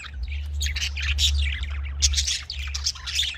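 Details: Budgerigars, or Australian parrots, kept for breeding: continuous warbled chattering and chirps over a loud, steady low-pitched hum running throughout.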